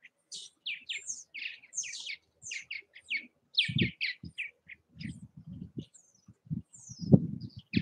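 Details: Several purple martins around bird houses in Southwest Missouri utter short, bright chirps in loose series, mixed with intermittent low thuds and rumbles.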